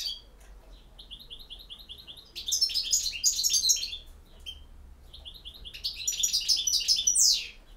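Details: European goldfinch giving a field-style song: series of short repeated tinkling notes, then loud rapid twittering bursts of high chirps and trills, pausing briefly and resuming, with low hum underneath.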